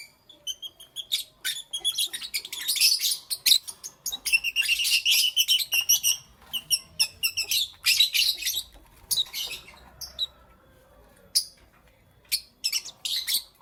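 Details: Morning chirping from lovebirds: a dense, near-continuous run of sharp, high chirps and rapid twittering that thins out toward the end into scattered squeaky notes.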